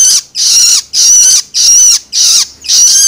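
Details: Juvenile long-tailed shrike calling loloan-style to stimulate adult shrikes: five loud, harsh, sizzling bursts with short gaps, each buzzy screech sliding downward at its end.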